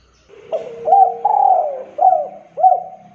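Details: Male spotted dove in full voice, used to entice other doves to call back: one continuous phrase of soft coos, a long hoarse sliding note in the middle, ending with two crisp, hooked coos. Faint low hum behind.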